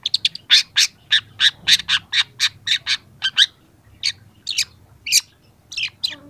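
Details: Harsh chattering song of a young long-tailed shrike, kept as a training recording for other birds: rapid rasping notes at about four a second, later slowing into scattered squeaky, rising strokes.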